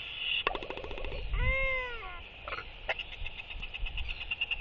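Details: Northern royal albatross practising courtship with skycalls, bill clapping and yapping alongside three others, October 23, 2023. A fast rattle, then an arched, moaning harmonic call near one second long, then scattered clicks and yaps over wind.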